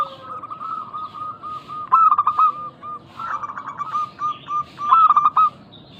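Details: Local zebra doves in a lure recording used to make other doves call back: soft repeated cooing notes, broken by loud stuttering bursts of rapid clipped coos around two and five seconds.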